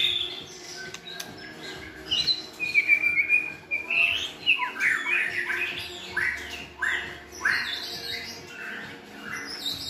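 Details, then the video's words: Several good-voiced white-rumped shamas sing to train a chosen shama in varied song; a quiet start, then quick whistled notes and short trills, with high thin notes near the end. "NÀI CHÒE LỬA | Đào tạo THANH cho lửa chuyền"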